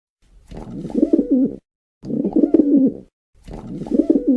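A pigeon gives three rolling, throaty coos, each about a second long and low-pitched, separated by short pauses, in a quiet indoor space.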